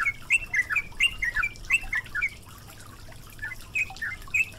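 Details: Yellow-vented bulbul singing on a training recording with added water sounds: short chirpy, slurred notes in loose clusters, then a gap and a few more, with a low watery rumble underneath.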